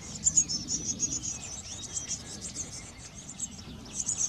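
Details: Eurasian blue tits at a garden nest box during brood care: a dense, rapid stream of very high, thin chirps in quick bursts, steady low background hum beneath.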